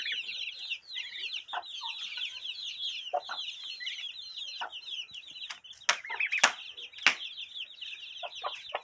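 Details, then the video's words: Young turkeys give a constant flock chorus of thin, high, falling peeps, many birds calling at once, broken by a few sharp louder clicks or knocks near the middle and some lower chirps. "Filhotes de peru"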